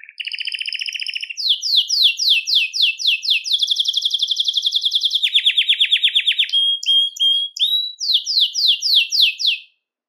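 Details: Belgian canary song meant to stimulate males and bring females into breeding condition; continuous varied trills shift from a low rolling trill to quick descending sweeps, a dense steady trill, brief clipped notes and further repeated sweeps.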